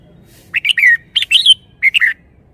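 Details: Caged red-whiskered bulbul pouring out three quick groups of bubbling, slurred whistles, each group of two or three notes, the middle one ending in a rising then falling sweep.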